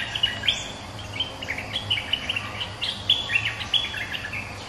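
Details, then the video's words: Bulbul, a resident bird answering a rival, a lure recording for bird trapping: bright chattering notes repeated in quick bursts, with a low steady hum underneath. "เสียงนกดอกแตงEp.209 ถูกคู่ เจ้าถิ่นริก!!กระจายเลย Suara pikat merbah lekir gacor"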